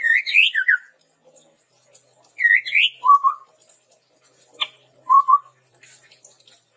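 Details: Chestnut-rumped babbler song, used as a lure and tutor recording for training birds: bright whistled phrases sliding around high pitches, each followed by lower paired whistles, in bursts about every two seconds with clean silence between.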